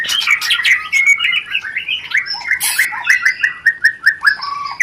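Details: White-rumped shama rencetan, a lure sound for stimulating mating: a rapid run of short chirps and slurred notes near the middle pitch, several brief descending phrases, with sharp high clicks scattered throughout.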